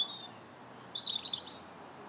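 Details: Robin song recorded on 21 January: a high thin drawn-out whistle, then a fast jumbled twittering phrase lasting about half a second, set against low steady background noise.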